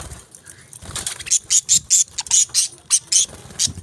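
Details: Budgerigars giving a run of sharp, very high, squeaky chirps about three per second, each short and piercing, over faint background rustle.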